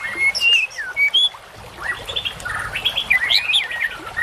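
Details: White-rumped shama masteran song for training fighter birds: clear whistled notes and slurs at the start, then a denser jumble of twittering, rising and falling whistles over a steady hiss.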